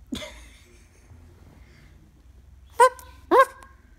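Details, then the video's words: Indoors, a pet cockatoo imitates a dog with high-pitched barks: one faint note at the start, then two loud, clipped, harmonic yaps about half a second apart near the end. "Bark Like a Dog!"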